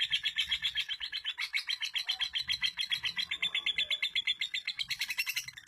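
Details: Female lovebird from East Lampung, Indonesia, a collected bird, in long-duration 'durasi' singing: an unbroken stream of rapid shrill chattering notes, about four per second, with a brief sharper burst near the end.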